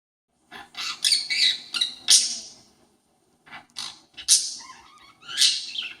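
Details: Pet parakeet indoors imitating the calls of a conure it lives with: harsh, raspy screeches in short bursts, a cluster of them, then a pause, then several more scratchy squawks.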